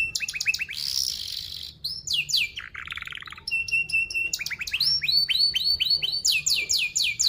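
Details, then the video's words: Canary lure song used to teach young canaries, in a fast, tightly packed rolling style: varied rapid series of high downslurred chirps, short buzzy trills and steady whistled notes, delivered almost without pause. "Kenari Gacor Paud SPEED RAPAT Cuit cuit Ngerol, Pancingan Kenari PAUD BELAJAR BUNYI"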